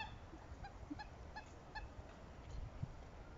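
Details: Southern screamer calling during pair-bonding: a quick series of about five nasal, honking notes, evenly spaced roughly every 0.4 seconds, over steady low rumbling background noise.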